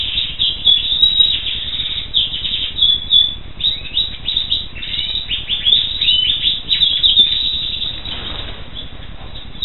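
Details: A black siskin sings a long, lively run of rapid high chirps and twitters, some notes sliding down in pitch, fading slightly near the end.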